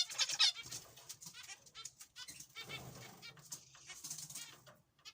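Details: A group of zebra finches giving quieter, scattered nasal calls. A loud burst opens the recording, then softer buzzy notes come in irregular clusters, with short gaps near the end.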